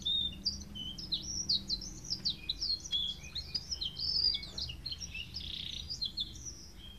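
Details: Three domestic canaries sing together in a dense, continuous warble of quick high trills, chirps and whistled notes, with a faint low hum behind.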